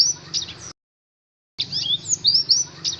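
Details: Oriental white-eye song used to prompt caged birds to sing; a short high chirp, a break, then thin sliding twitters and squeaky notes.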